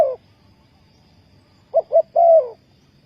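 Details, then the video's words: Spotted dove used to lure wild doves for trapping: a brief low coo fragment at the start, then after a pause two short hooting notes and a longer, falling, slightly wavering coo. "Sound Of dove"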